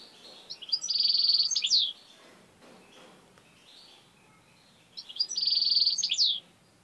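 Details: A pet European goldfinch, tame and biting at a finger, repeats the same harsh trilled phrase twice about four seconds apart, with quiet twitters and light background hiss between.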